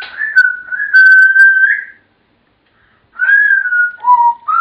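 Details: Pet African grey parrot whistling the tune Pop Goes the Weasel indoors: clear sliding whistled notes held and wavering, a pause, then more whistled phrases dropping and rising, followed by a person's voice.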